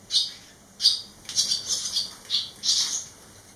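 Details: Fledgling barn swallows, three returned young, eleven days after leaving the nest: loud harsh high chirps and squeaky twittering close by, several notes running together toward the end.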